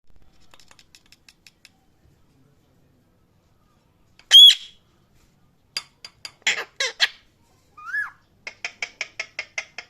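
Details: Parrot calling loudly: scattered short chirps, one harsh rising squawk, a quick burst of sharp calls and a brief whistled slur, ending in a rapid run of even, clicky chirps, with silent gaps between.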